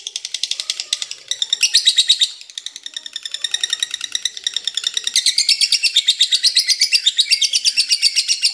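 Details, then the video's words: High, hurried lovebird chatter of scratchy pulses, briefly softer after two seconds, then building louder again into a steady run. "LOVEBIRD NGEKEK PANJANG HAMPIR 4 MENIT"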